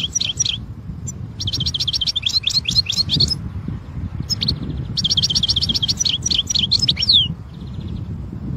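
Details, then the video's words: Wild European goldfinch singing a fast, liquid twittering song of repeated high, bouncy notes in long runs, briefly pausing near four seconds before another rapid sequence, over a steady low background hum. "الحسون في الطبيعة"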